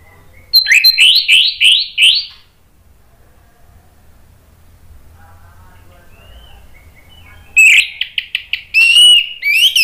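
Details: Orange-headed thrush lure song for coaxing other birds to answer: a quick series of five rising, buzzy whistled notes, a long near-silent gap, then a burst of sharp repeated chips and a rising whistle.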